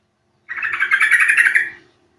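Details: Yellow-vented bulbul luring call to trigger singing: one long, bubbling chatter of rapid pulsed notes lasting over a second, rich and slightly harsh.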